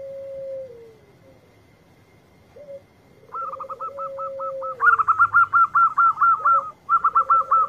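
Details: Local zebra dove singing vigorously: soft, low drawn-out coos, then a quick staccato string of higher clipped notes building into rapid, rolling bursts of cooing phrases.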